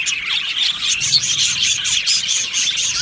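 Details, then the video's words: Budgerigars chirping in an aviary, rapid short high chirps about four per second over a background of busy flock warbling. "Beautiful Happy Budgie singing and chirping sounds"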